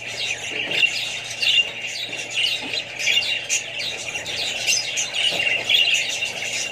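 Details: Flock of Australian budgerigars with other birds and young: rolling high-pitched chatter, repeated chirps and short squawks from many voices at once.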